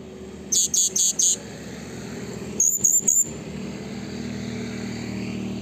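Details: Blue-crowned hanging parrot call meant to provoke rivals: a burst of four sharp, very high-pitched notes, a pause, then three more, over steady low background hum and noise.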